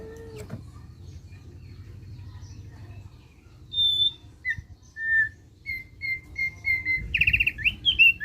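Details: Thick-billed white-eye giving ngeriwik, a chattering song said to prompt other birds to sing. A low hum runs underneath with a few seconds of near quiet, then clear high whistled notes and short repeated chips that build into a brief rapid chatter.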